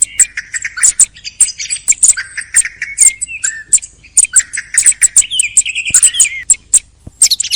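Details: Thrush in full song at the close of the hunting season, pouring out quick ticking notes and twangy whistled phrases in rapid succession with almost no pause.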